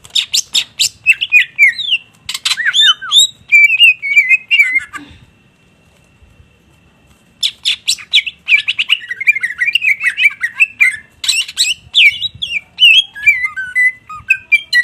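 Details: Cucak ijo (greater green leafbird) singing gacor: dense bursts of sharp chirps and twisting whistles, a silent gap of about two seconds, then the fast varied phrases resume.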